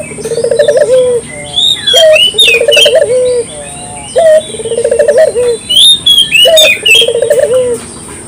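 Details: Spotted dove calling as a lure for any time of day: rolling trilled coos with a falling end, repeated three times, while another bird gives loud high chirps and whistles between the phrases.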